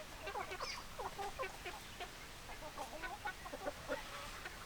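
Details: Many hens clucking together: a busy, overlapping stream of short, throaty clucks and brief squawks, steady throughout, under a hissy background.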